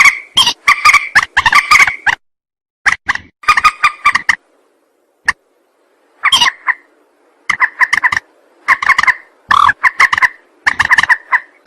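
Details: Rail lure recording for trappers. Bursts of harsh, nasal, grating notes are broken by gaps of silence. A sparse single click comes midway, and a dense, steady chatter follows in the second half.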